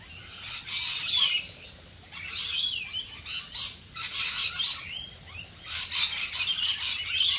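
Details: Australian rainbow lorikeets calling during rain: bursts of shrill screeching and short squeaky chirps from several birds, louder clusters every second or so, over constant rain hiss.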